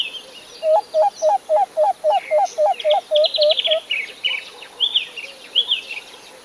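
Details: A male and female Acacia Pied Barbet give their typical duet: a run of about a dozen quick, hollow hooting notes, three per second, laced with higher, nasal, twangy calls from the partner.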